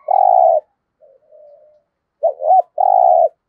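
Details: Decoy spotted dove with a 'giọng thổ' voice: a long, deep, even coo, quiet wavering notes, then a full phrase of two short hooked notes and another long coo.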